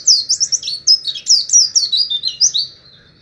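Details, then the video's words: Wild Oriental white-eye ("pleci ngalas") giving a continuous string of high, thin, downslurred "wit" notes, fast and slightly irregular, for three seconds. "masteran pleci ngalas Wit Wit"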